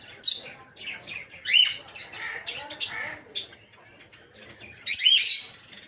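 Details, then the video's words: Captive rosy-faced lovebirds in an aviary kept for breeding, with opaline, dark green, blue and lutino mutations, give sharp, high chirps and harsh squeaks scattered across six seconds, loudest at the start and near the end. "Peach-Faced Lovebird's Sounds"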